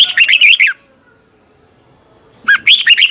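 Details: Thai red-whiskered bulbul singing a teacher song for training: a quick, lively phrase of rapid chirpy notes, then silence for nearly two seconds, then a second phrase just like the first.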